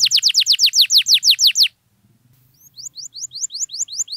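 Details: Canary song for prompting quiet canaries to sing: a row of loud downswept whistles, a short gap, then rapid rising notes repeated in a steady series.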